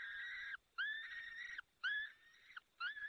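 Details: Peregrine falcon at its nest in the Barycz Valley, Poland, on 30 April 2020 at 14:28, as the male arrives with prey to feed the chicks: drawn-out, harmonic wailing calls about half a second long, four of them with short gaps between.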